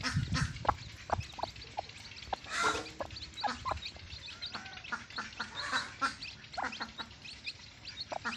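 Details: Desi hen with newly hatched chicks on a free-range farm, giving short clucks in an irregular series, with one louder, longer call near the middle over steady background noise.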